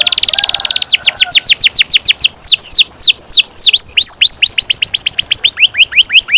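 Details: Long-rolling canary song meant to teach young canaries: a fast high trill, then repeated clear descending whistles, some paired into V-shaped notes, ending with quicker rising-and-falling notes.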